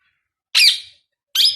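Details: Newly acquired pet Indian ringneck parakeet, said to be talking for the first time, gives two short, harsh, noisy screeches in a quiet indoor room, the first longer and fading, the second cut off.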